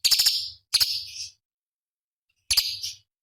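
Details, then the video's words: Cucak cungkok, a small songbird used as master song for competition birds: three high, sharp buzzy phrases, each beginning with fast stuttering clicks, the last following a pause of over a second. "Masteran Cucak Cungkok Istimewa ~ Isian Pedas Tajam Kasaran ~Tembakan Istimewa Masteran Burung Lomba"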